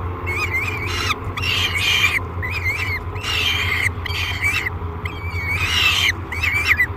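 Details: Great Spirit Bluff nest box, July 3, 2021: a peregrine falcon screams noisily as it is fed, uttering short harsh cries with wavering, looping pitch in quick succession, about eight in seven seconds, above a low hum.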